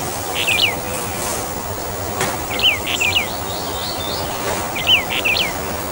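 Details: A Brown bullfinch of the Taiwan-endemic subspecies uchidae, a bird of mid- to high-elevation forest, gives short, high whistled notes with quick downslurs in small clusters about every two seconds over a steady hiss of insects.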